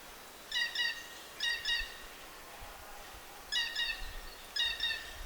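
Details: A Blue Jay at Cold Lake Provincial Park campground, Alberta, on a cloudy camping day, gives four squeaky, creaking double-note calls in two pairs, like an ungreased gate, over soft outdoor hiss.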